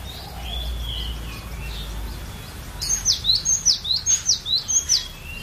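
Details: A captive cinereous tit sings a variation song used as a lure: faint high whistles give way to a fast, steady series of sharp, bright notes, about four per second; Cinereous tit.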